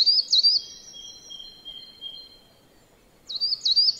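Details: Coal tit at a yard in Joroinen, Finland: two high wavering notes, then a long thin steady whistle-like tone fading away, silence, and two more high wavering notes at the end.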